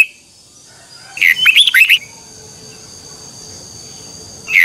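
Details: Red-whiskered bulbul during morning song training, one clear burst of quick, bubbling twisted whistles lasting under a second amid a quiet background, with a single note at the end.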